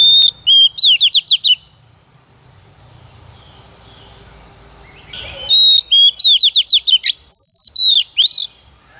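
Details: Female white-rumped shama singing as a decoy to excite males: bright whistles and quick descending slurred notes in two bursts separated by a long near-silent gap with low hum and a brief rustle.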